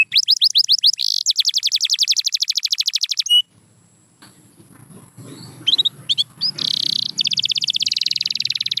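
Canary song: rapid trills of high, rolling notes, repeated in fast bursts, with a brief quiet gap and some low background rumble in the middle.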